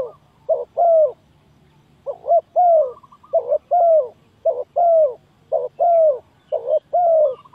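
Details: Trapping lure of spotted dove calls: mellow, low coos in repeated two-note groups, a quick stutter note followed by a longer downslurred coo, about one group per second over a quiet background.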